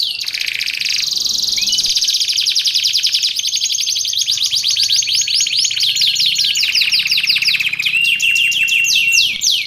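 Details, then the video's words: Canary singing continuously, used for tutoring and luring birds: a steady high whistled note opens into a long fast series of falling trill notes, bright and metallic, repeated in quick rolling phrases. "Suara Kicauan Burung Kenari Menggila"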